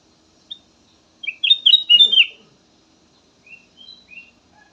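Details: Black-naped oriole song kept to lure other birds into singing: a quick burst of slurred, whistled notes, followed after a pause by several softer, scattered whistles.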